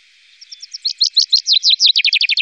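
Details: Common chaffinch in the Wittlicher Tal valley, 2018, delivering a crisp, high song: soft opening chips swell into loud, evenly spaced descending notes, then speed into a quick trill that runs on to the end.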